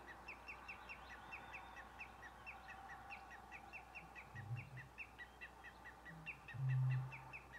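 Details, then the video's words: A Eurasian bittern gives two deep, hollow booms near the end, the second louder, at lake Mingen, Njurunda, Sweden, on 1 June 2021. Greenshanks call persistently in quick, high, repeated alarm notes throughout, and a black-throated loon called once. "på sluttampen kommer Rördrommens bastuba"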